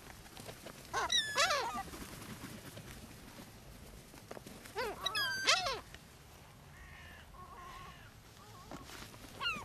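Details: Seagulls fed on Brean Sands beach in Somerset, England, April: a few loud squealing, stacked calls around one and five seconds, then softer wavering mews, over steady beach and sea noise.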